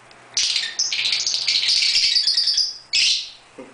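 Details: Two pet lovebirds playing in an indoor bird room. A loud, dense run of harsh, buzzy chirps chatters on for over two seconds. It breaks off briefly, then another strong burst of chirping follows.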